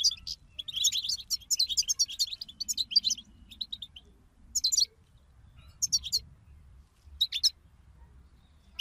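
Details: European goldfinches chirping together, intended to spur a goldfinch into song: a continuous, lively, high twittering warble for about four seconds, then separate short bursts of rapid, rising chatter.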